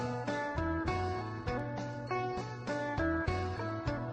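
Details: Plucked guitar music plays steadily throughout, with no animal voice heard.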